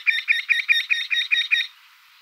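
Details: Eurasian wryneck (Jynx torquilla) giving a run of eight nasal, ringing 'quee' notes, evenly spaced about five per second, then stopping; little else is heard.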